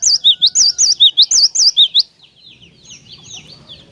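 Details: Cinereous tit in strong song, for coaxing other tits to sing: about a dozen fast, ringing, up-and-down whistled notes, followed by softer scattered chirps from birds nearby.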